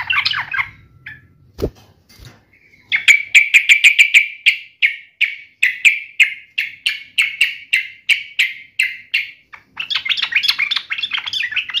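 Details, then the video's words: Sooty-headed bulbul in fighting mode: after a brief noisy start comes a long, regular run of sharp whistled notes, then a busy chattering warble. "trucukan gacor FULL TARUNG NGAMUK"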